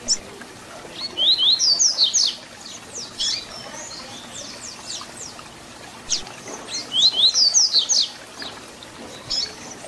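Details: Double-collared seedeater (papa-capim) repeating its 'Tui Tui Zel Zel' song for young birds to learn: two bursts of rapid high whistled slurs about five seconds apart, with softer scattered notes between.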